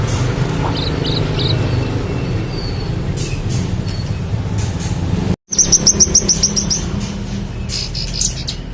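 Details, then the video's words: Oriental magpie-robin singing vigorously, used as tutor song for contest birds; after a brief gap, a fast run of sharp high chirps repeats rapidly over constant low engine-like rumble. "manggaran gacor cocok untuk masteran burung lomba"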